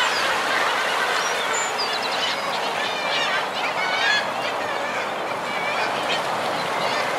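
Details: Common guillemots calling as a group on their breeding ledges, with fulmar and kittiwakes in the colony: a dense, unbroken roar of overlapping growling voices, topped by scattered higher, wavering calls from other seabirds.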